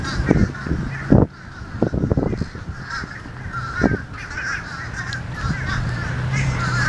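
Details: Noisy fish crows calling together, a chorus of short, nasal, overlapping caws that blur into constant chatter, with a steady low hum and a few sharp knocks beneath.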